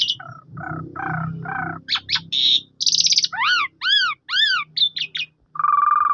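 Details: Asian pied starling singing, used to provoke a mute bird to start singing; varied phrases of throaty chattering notes, a harsh buzzy burst, then a series of arched whistles ending in a steady nasal note over low rumble.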